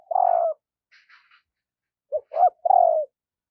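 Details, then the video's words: Caged decoy spotted dove calling in the morning to lure wild doves: a loud, hoarse, falling coo, then a short pause, a soft note, a clipped coo and another long, throaty descending coo. "Tiếng chim cu gáy thúc và gáy gọi bổi vào buổi sáng"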